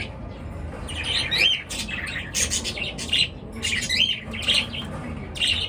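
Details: Birds chattering at daybreak, dense bursts of raspy, high chirps coming in clusters about every half second, with faint low room noise beneath.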